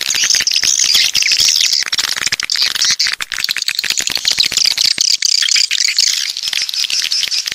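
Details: Swiftlets, called walet pantai (coastal swiftlet), from the south: a dense, unbroken high-pitched chittering rattle of many overlapping clicks and chirps, with no pauses, steady throughout.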